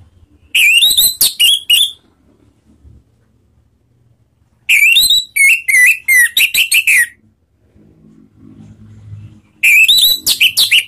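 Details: Orange-headed thrush (Anis Merah) lure recording in the ngeplong style, played to trigger other birds into singing: three bursts of loud whistled phrases with rising and falling notes and harsh buzzy notes, separated by pauses.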